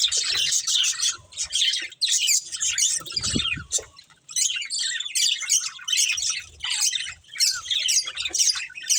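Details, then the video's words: Two budgerigars, a breeding pair, chirping and squawking in repeated high scratchy bursts with short pauses, a low thud around the middle. "Beautiful Budgies Chirping Sounds"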